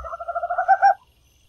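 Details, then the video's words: Tropical screech owl singing: a quick series of low purring hoots that speed up slightly, ending in two louder, emphatic notes, with no other sounds. "A beleza da corujinha do mato cantando!"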